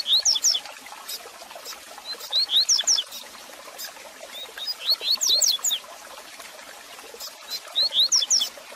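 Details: Double-collared seedeater song for warming up and teaching a caged male: short phrases of bright, upswept whistled notes, repeated about every two and a half seconds over a steady hiss like trickling water.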